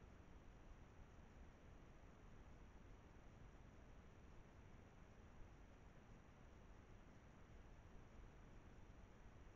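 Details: Faint, steady hiss of background noise throughout, with no calls.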